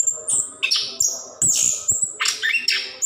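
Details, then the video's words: Orange-headed thrush, a 'plontang gacor ngerol' type bird, singing continuously in a long-running recording meant to prompt lazy caged birds to sing; varied high whistled and scratchy phrases, quick short notes in rapid succession. "Anis Kembang / Plontang Gacor Ngerol"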